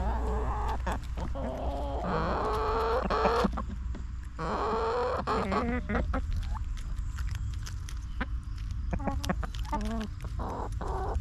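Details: Backyard chickens clucking, a dense run of short stacked notes rising and falling in pitch, about three to four per second, over a steady low rumble and scattered clicks.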